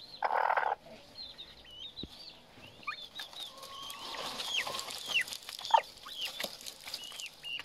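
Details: Young Himalayan monal: a run of thin peeping whistles, many sliding sharply downward in hook-shaped notes, coming every half second or so after a short burst of harsh noise at the start.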